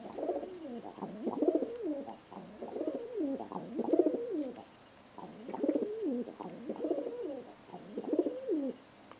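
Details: Excited pet pigeon spinning on a person's hand indoors, giving a run of low, throaty rolling coos, each phrase about a second long, repeated steadily through the stretch with short pauses between.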